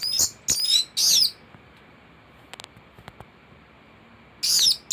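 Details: Master recording of a thrush for tutoring birds: three loud, squeaky, high twittering bursts at the start, a quiet gap with faint clicks, then another harsh twittered phrase.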